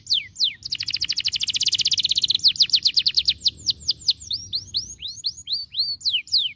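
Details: Caged canary song meant to stimulate other canaries: brief falling notes, then a long very rapid buzzy trill, then slower clear descending whistles roughly three per second.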